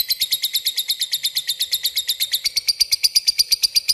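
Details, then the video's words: Rapid, even chattering from a lovebird calling a rival, ngetik ngekek style. Sharp high notes pour out about seven per second with no break. "Suara burung lovebird memanggil lawan ngetik ngekek gacor"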